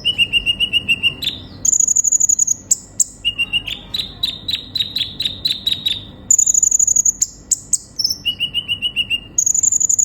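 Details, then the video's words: Sunbird described as a lively singer, recorded as training audio to prompt young captive sunbirds to sing. Bursts of thin, high chirps repeat in quick runs. Pitch jumps between lower and very high trains, with short pauses between runs. "Terapi burung kolibri ninja gacor utk memancing konin bahan cepat bunyi"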